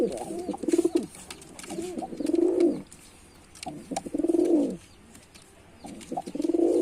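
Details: Repeated low rolling coos from a male white pigeon performing, arriving in four swelling phrases roughly every one and a half to two seconds, with faint clicks behind.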